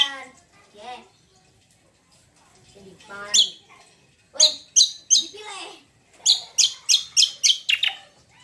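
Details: Greater green leafbird, locally cucak kombo, singing to provoke other birds into song: scattered notes, then a lively series of loud, sharp repeated chirps coming about three per second.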